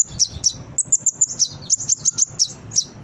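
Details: Lure recording of a brown-throated sunbird for prompting caged birds to answer and sing. A quick run of bright, high, clipped chirps repeats about three to four times a second, with slight background hum.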